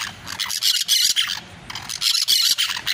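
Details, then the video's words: Several parakeets singing: dense, harsh, raspy chattering bursts packed into a high register, nearly continuous with brief dips in loudness before resuming in scratchy, buzzy waves. "PERICOS CANTANDO"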